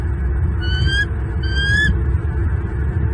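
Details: Wild male bald eagle at its Southwest Florida nest, morning of 10 February 2023, hollering at an intruding eagle to protect two chicks; two piercing upslurred whistled squeals, each under half a second, against low rumbling noise.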